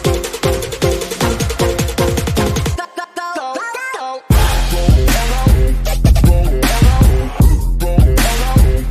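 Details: Loud electronic dance music with heavy bass beats and synth melodies, briefly dropping to a sparse melodic passage before the full beat returns; no animal sounds are heard.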